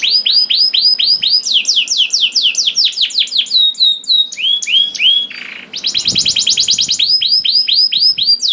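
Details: Canary song used as a pancingan to get other canaries singing: repeated falling whistled notes, a quick series of hooked chips, a short burry pause, then more fast trills and slurred whistles.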